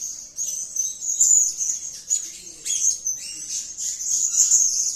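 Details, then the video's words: Blue-crowned hanging parrot, described as gacor and calling, gives a steady stream of piercing, high-pitched squeaky chatter with quick sharp notes and short louder flurries throughout. "Edisi Suara Serindit Gacor || suara gacor si Sayap Kuning memanggil"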